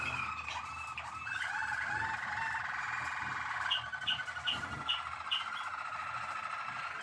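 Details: Malinois Waterslager canary, recorded 12 December 2023: long, low, bubbling rolls with a run of bright repeated notes.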